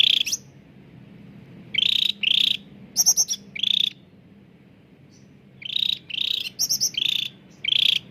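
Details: Cucak ranting, a bulbul, singing clearly as a lure for birds that rarely sing: groups of harsh, buzzy rattled notes alternating with high pulsed trills, a long pause midway, then another burst.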